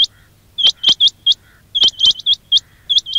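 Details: Quail (batair) calls recorded for luring birds into traps: short, sharp high chirps in loose clusters of two to four notes, separated by brief pauses, with a quiet low hum underneath.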